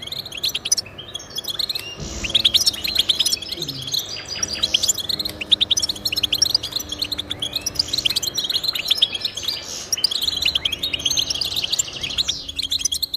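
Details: Song of the European goldfinch, used to get pet goldfinches singing: long stretches of fast, high twittering and chattering chirps, over a faint low steady hum that comes and goes in the background.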